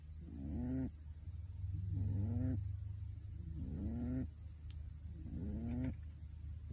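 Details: Sleeping pet pigeon wearing a bird suit snores: low, slightly rising nasal grunts lasting about a second, four in a row at even intervals, with a constant low background rumble.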